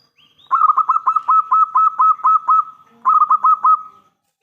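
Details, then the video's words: Local zebra dove singing vigorously in a big, crystal-clear voice, used as a lure to draw answers from other doves: a fast run of about ten rhythmic cooing notes at a steady mid pitch, a short pause, then four more, with a quiet background. "Perkutut lokal gacor suara besar pancingan"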